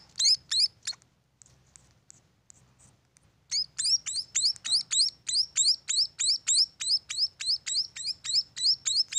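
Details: Munia nestlings from a bird farm: a few high rising squeaks, a quiet gap of faint ticks, then a long fast run of sharp upward chirps, over three per second.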